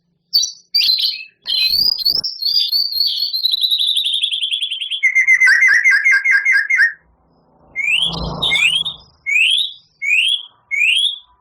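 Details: Long mimicry-laden phrase from a prize White-rumped shama: sharp notes, a high trill descending steadily, a rolling lower series, a brief noisy pause, then loud rising whistled notes repeated roughly every half second.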